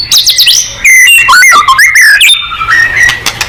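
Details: White-rumped shama song for provoking singing: quick high slurred notes, then loud clear whistles that slide down and up, a few sharp chips, and softer trailing whistled notes.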